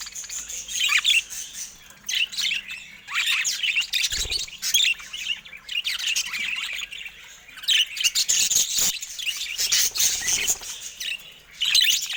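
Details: Caged budgerigars attacking a camera keep up long stretches of high warbling chatter and squeaky chirps, punctuated by sharp taps and a low knock.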